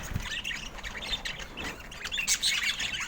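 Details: Pet budgerigars chirping: scattered bright, high chirps and short warbled notes over a soft low rumble, with the chatter busier in the final second.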